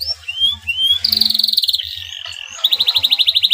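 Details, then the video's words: Male canary in breeding condition, singing to rouse another canary: a few soft rising whistles lead into a sustained trilled roll, then a quick pulsing trill at the end, with faint low background hum. "CUIT CUIT KENARI JANTAN BIRAHI UNTUK MERANGSANG BUNYI KENARI LAWAN AGAR MAU BUNYI DAN GACOR"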